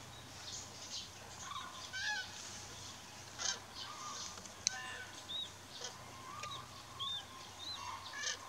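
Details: Flock of common cranes (Grus grus) in fog near Mariendrebber, Diepholzer Moor lowland, Germany: distant rolling trumpeted calls in overlapping bursts every second or so, over a steady low hum and soft hiss.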